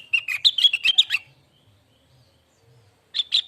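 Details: Lesser green leafbird song for training cage birds: a rapid one-second burst of bubbling, slurred notes, then silence and two brief final chirps.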